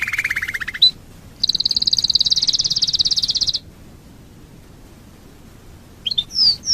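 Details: Canary song used as a lure to prompt other canaries to sing, with a low buzzy trill, a fast high rattling roll held for two seconds, a pause, then brief sharp whistled notes.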